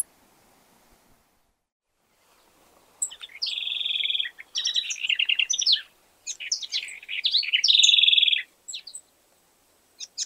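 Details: House Wren (Troglodytes aedon, ratona), one of Argentina's common birds, sings three rapid, bubbly phrases of high trills and buzzy chatter separated by brief pauses, with a few extra chips at the end.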